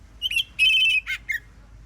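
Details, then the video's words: Oriental magpie-robin in full, free-flowing morning song meant to make other magpie-robins answer: a short run of loud, clear whistled notes, some held and slightly wavering, ending on a brief falling whistle over a faint low hum. "KACER gacor NGEPLONG di pagi hari BUAT KACER lain NYAUT"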